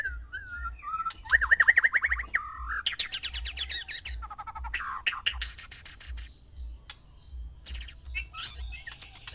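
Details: Male white-rumped shama kept with six females, singing to stir mating: loud varied phrases of rapid repeated notes, sliding whistles and buzzy trills in quick succession, over a steady low rhythmic thumping.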